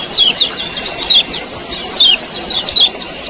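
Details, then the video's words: A male common iora repeats its 'ciak ciak' call to coax other birds into singing, a series of thin, falling, high-pitched notes roughly every 0.8 seconds with a constant background hiss. "CIAK CIAK KECIAL KUNING JANTAN PANCING BUNYI AGAR GACOR"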